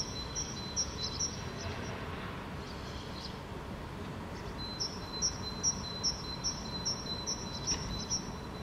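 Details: Great Tit singing in Helsinki, Finland, in May 2013, bright, high two-note phrases, about two or three per second in ringing bursts, over a steady low rumble of distant traffic or wind, while a fieldfare forages nearby.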